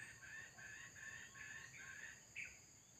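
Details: Male red junglefowl drawn in by a decoy during a trapping session, crowing in a string of hoarse, connected syllables lasting about two and a half seconds, partly masked by a steady high insect drone.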